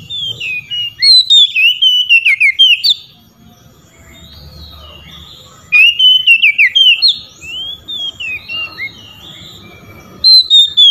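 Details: Oriental magpie-robin singing loudly to call out rivals, with other magpie-robins answering: bursts of loud, rich whistled notes sliding up and down in rapid series, then a pause, softer whistled phrases, and a fresh loud burst.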